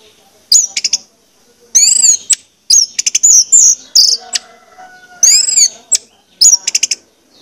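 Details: Orange-headed thrush lure song, played to make birds sing: repeated phrases of high arched whistles and clipped chirp trills separated by short gaps, with a faint steady hum underneath.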